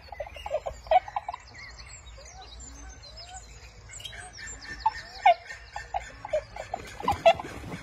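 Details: Inca tern, a seabird, recorded in Peru: short, abrupt mid-pitched calls in loose irregular bursts, louder toward the end, with fainter higher chirps and a steady low rumble underneath.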